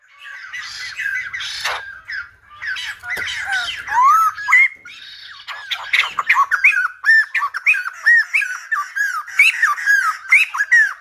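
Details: Singing like a lumba dancer, a silver-headed babbler starts with rough squawky notes, then settles into a steady string of rising-and-falling whistled loops repeated about twice a second.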